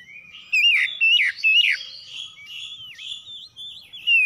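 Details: Oriental magpie-robins trading harsh morning song phrases: three loud, swooping whistles at the start, then a continuous warble of rising and falling notes, ending with a sharp high whistle.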